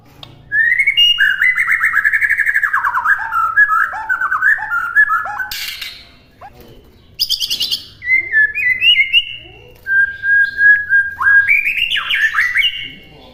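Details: White-rumped shama master song for imitation: long, rolling, warbled whistle phrases, a short harsh burst, a pause, then crisp chips, a sustained whistle and rising, sliding notes.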